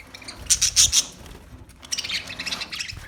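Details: Parakeet giving a short cluster of four sharp high chirps, then a softer, scratchy twittering against faint background rustle.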